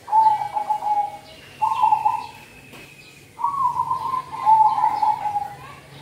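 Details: Zebra dove (merbok kampong) cooing, used to lure and prompt birds in the cold season: four soft, purring trilled phrases in two pairs, the last pair longer and rising slightly, over a faint high whistle.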